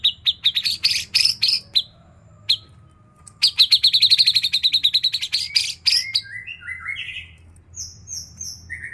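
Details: Hobby-kept white-rumped shama delivering a varied isian song with katem and cak janggot elements: sharp repeated clicks, a rapid rattling trill, then rising whistles and high thin chirps, with a steady low background hum.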